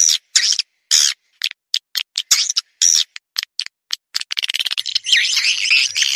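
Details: Swiftlet lure call for attracting swiftlets: clipped, buzzy twittering notes in uneven bursts. The notes quicken into a rapid stuttering run, then a continuous warbling chatter.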